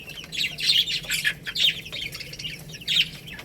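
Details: Baby chickens feeding on rice, a cluster of shrill chirps in bursts about every half second, high and overlapping, over a low background hum.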